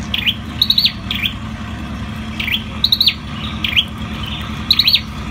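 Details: Ashy tailorbird, known as sâu đầu đỏ, singing loud high phrases of clipped ticks and downward-dipping whistles, spaced in bursts with brief pauses, steady low hum beneath.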